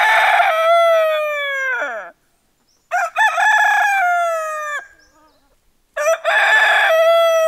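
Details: Rooster crowing as a wake-up call; three long, loud, harmonic-rich cock-a-doodle-doo crows, each about two seconds, with a drawn-out falling tail and short silences between.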